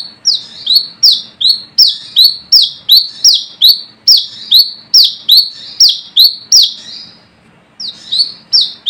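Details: Brown-throated sunbird from the forest calling to rivals, used for luring: sharp shrill downslurred notes with buzzing tails in a quick even series, then a pause and a couple more notes.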